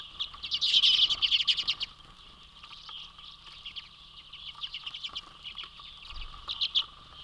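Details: A large flock of Common redpolls (Acanthis flammea) swarms a feeder platform in Manitouwadge, Ontario, on 27 February 2023, giving a dense, overlapping chatter of quick, high, dry twitters, loudest at first, then scattered bursts.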